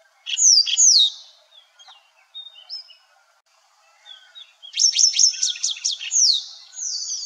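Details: Calls of a white-browed wagtail recorded in India: loud high whistled slurs at the start, scattered quieter notes, then a quick burst of ringing chirps and a final drawn-out high whistle.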